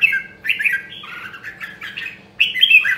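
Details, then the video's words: Red-whiskered bulbul of the rare Nam Đông, Huế strain singing in voice training: bright, varied whistled phrases with slurred rising and falling notes, a short gap, then a sharp new phrase. "Luyện giọng Chào Mào Nam Đông Huế Hàng Hiếm Còn Sót Lại ! giọng cực chất"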